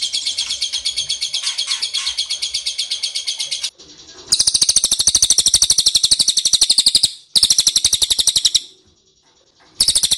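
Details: Lure recording of ashy tailorbird to make birds answer: loud, fast series of high-pitched buzzy chipping notes in long bouts, broken by two brief quiet gaps.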